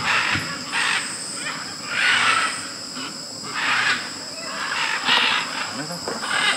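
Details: Macaws gathered at a large clay lick in Tambopata, Peru, where hundreds of macaws and parrots come to eat clay: harsh, overlapping squawks rising in loud surges roughly every second, over a steady high insect drone.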